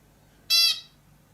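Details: Bulbul giving a single loud, harsh, buzzy squawk lasting about a quarter second, steady in pitch and then fading, against a quiet background.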